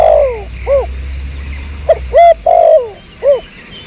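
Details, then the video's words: Spotted dove recorded behind house plants for luring in 2022, giving a loud cooing phrase: a short downslurred note, a brief arched coo, then a strong clipped coo and a long falling one, ending with another arched coo. "Pikat burung terkukur"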